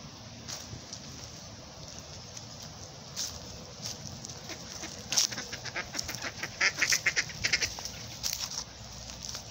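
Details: Canada geese with mallards at Garfield Park, Mentor, Ohio, give scattered nasal honks that grow busier in the second half over a steady outdoor hiss; the ducks are possibly calling among them.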